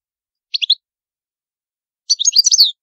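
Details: European goldfinch, Palermo Sicilian song style: a short double chirp, a pause, then a quick liquid twittering phrase, with nothing else audible.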